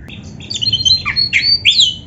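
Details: Short burst of oriental magpie-robin song: clear high whistles, then a quick run of chirps and a falling slur, ending with a bright upward-swept note.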